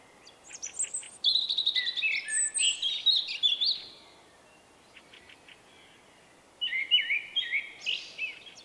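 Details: Common blackbird male with an unusual individual song, described as 'vuippi vuippi vuuu', recorded in late March 2024; warbled phrases in the mid-to-high range with high twittery notes, a pause, then another shorter warbled phrase.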